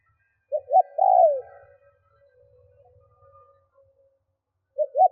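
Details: Lure spotted dove cooing to provoke wild birds: one full phrase of two brief notes and a long descending coo. A soft low murmur follows, then the opening notes of the next phrase.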